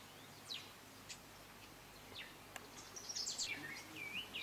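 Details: Speckled mousebird (Colius striatus kiwuensis) at Kibuye, Rwanda, in March 2013: a few thin, high downslurred notes spaced about a second apart, then a quick burst of twittering, sweeping notes, with a light background hiss.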